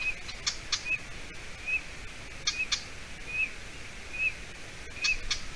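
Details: Young golden eagle at a nest in Latvia, 30 June 2020 near 6:20 p.m.; spaced, thin rising-falling whistles roughly every 0.8 seconds, interrupted by sharp paired clicking sounds and steady outdoor hiss.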